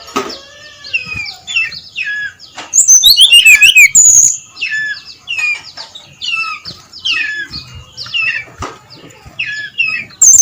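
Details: Brown-chested jungle flycatcher singing before dawn in the loud 'ngeplong' manner. Repeated short warbled phrases are broken by one powerful burst of descending whistles and fast trills, with another loud note at the end.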